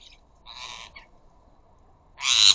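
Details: Rose-ringed parakeets, flocks of up to a dozen visiting a garden bird feeder, noisy when squawking: a short harsh squawk, a pause, then a louder, broader rasping screech near the end.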